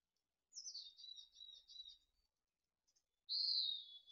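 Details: Rambunctious mountain chickadee nestlings at Truckee, moments before fledging in late June 2020. A high note slides down into a wavering, rapidly pulsed buzzy trill lasting about a second and a half, and after a pause a single strong, even high buzz follows.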